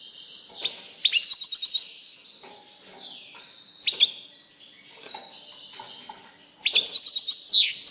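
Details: Softer European goldfinch song of quiet buzzy and warbled notes, broken by two short runs of fast, high tinkling trills near the start and end.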